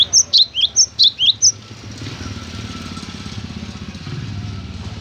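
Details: A cinereous tit (gelatik batu) sings a short, loud volley of sharp high disyllabic whistles, about seven in one and a half seconds, followed by quiet background rumble of traffic.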